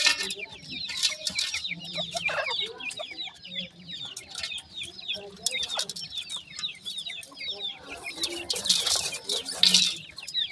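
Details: Several young grey francolin chicks peeping continuously, thin high downslurred notes tumbling over one another, with bursts of rustling and scraping noise and a faint low murmur in the background.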